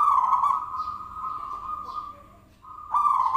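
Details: Zebra dove lure sound: a loud, sustained, vibrating coo fading over two seconds, a brief pause, then another rough, rolling coo.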